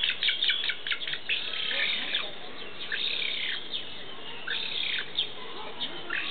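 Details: Captive black-faced spoonbill chick at Tama Zoological Park begging as it is fed. Irregular bursts of squeaky, rasping chirps alternate with brief pauses against soft background noise.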